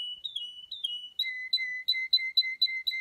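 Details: Male Russian canary, an officially registered Russian breed of song canary known for singing in a very high range, delivering long pure whistled notes with slight upward slides, then a rapid repeated two-part whistle of clear tones; quiet indoor setting.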